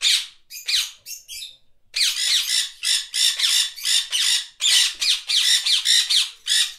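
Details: Parakeets giving rasping, buzzy squawks, a few scattered notes at first, then a dense run of loud, harsh calls roughly twice a second.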